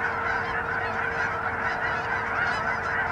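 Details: Canada geese, thousands on a pond in Hutchinson, Kansas, on 25 January 2011, honking all at once in a dense, continuous chorus of overlapping nasal honks with no pauses.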